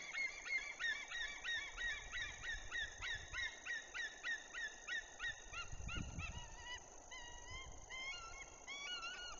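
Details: Loud white-tailed eagles at a monitored nest in Woziwoda forest district give dense overlapping yelps, fast chattering notes that turn into upslurred and downslurred cries, with a low rumble midway through.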